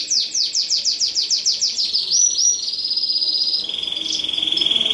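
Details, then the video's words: Singing canary delivers a quick run of repeated descending chips that flow into sustained rolling trills, finishing on a steady, high buzzy trill. "Kanarya Ötüşü"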